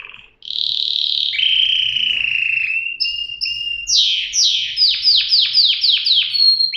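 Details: Canary singing a loud, varied song: long steady whistled tones and sliding notes, then a run of quick, sharply falling notes repeated several times a second. No other clear sounds.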